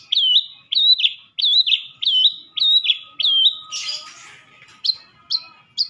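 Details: Madura long-tailed shrike tutor recording full of sekebon-style fill-ins: a series of high, wavering whistled notes, each rising then falling, repeated about every 0.6 seconds, broken by one harsh, noisy burst, then short chips.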